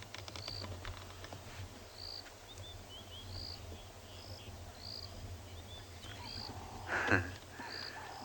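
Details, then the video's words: A white-browed scrub robin gives high, thin whistled notes about once a second in the background, over a low engine-like rumble and a sharp knock, during an April afternoon game drive in Sabi Sand, South Africa. "And you can hear the glorious, glorious call of the white-browed scrub robin in the background."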